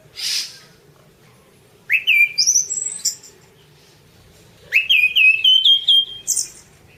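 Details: Orange-banded thrush song used as a tutor recording for other birds: clear whistled phrases sliding upward, then a series of rising notes stepped at various pitches, two bursts of song separated by a pause, with a brief hiss at the start.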